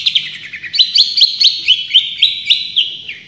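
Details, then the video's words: Long-tailed shrike delivering a rapid string of sharp, high chirping notes, about four per second, slightly buzzy and sweeping, over a faint low hum. "Masteran Cendet Juara full tembakan"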